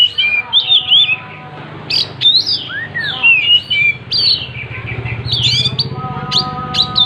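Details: Oriental magpie-robin singing hard while opening its tail: rich sequence of looping and arching whistles, chirps and sharp high notes. Faint lower steady tones are heard briefly near the start and end.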